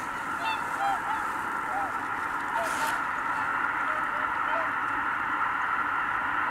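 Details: A flock of Greater white-fronted geese lifts off together at Kabukuri-numa marsh, Japan, 12 January 2019. Steady massed gabbling, with several distinct short rising honks in the first two seconds and a few more later.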